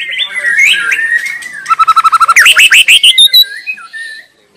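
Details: Wild white-rumped shama singing in its natural habitat: wavering whistles, then a fast run of repeated notes that climbs into loud sweeping phrases, ending in softer whistles.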